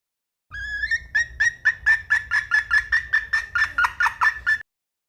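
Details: Hen red junglefowl: a rising nasal whine leads into roughly fifteen rhythmic clucks, growing harsher toward the end, with a quiet low hum in the background.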